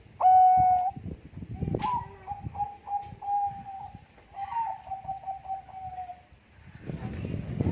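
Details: Bangkok zebra dove, competition-grade voice kept as a lure bird: one loud opening coo followed by a softer, rolling string of quick coo notes fading away, with low knocking noises and a hiss near the end.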